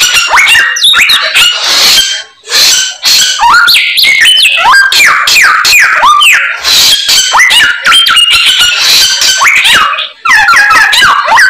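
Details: White-rumped shama song packed with mimicked phrases (isian): loud, nonstop stream of varied whistles, rapid chattering notes and sharp rising and falling slurs, broken by two brief pauses.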